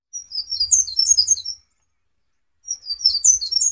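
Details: Energetic song of a black-capped white-eye, used to train songbirds: two bursts of high, tinkling, rapidly jumbled chirps with a clear pause between them.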